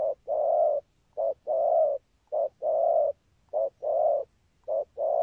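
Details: Spotted dove giving a patterned cooing song with spurring coos: a short coo followed by a longer drawn-out coo, the pair repeated steadily about once a second over a quiet background.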